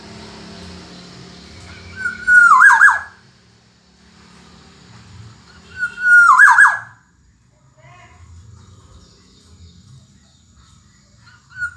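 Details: Black-naped oriole, called kepodang emas, in lively gacor singing: two loud fluid whistled phrases about four seconds apart, each a rising-falling liquid note ending in a harsh burst, with soft low background noise between.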